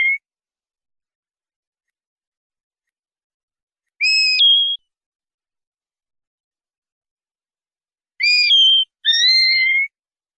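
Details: Common linnet recorded for a 2019/2020 clean-song (pardillo limpio) CD: after silence, a few clear whistled notes with downward and level inflections, spaced several seconds apart in a quiet background.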